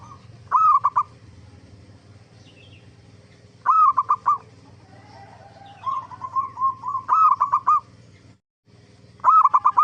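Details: Zebra dove song played to lure others of its kind into replying. Four loud bubbly phrases, each opening with a rising note, are separated by softer wavering trills, with a low background hum.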